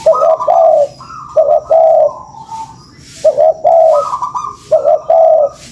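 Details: Spotted dove calling as a lure: mellow cooing phrases, each a short lead note then a longer wavering coo, with a higher fainter note between bouts. Phrases come roughly every one and a half seconds over faint hiss.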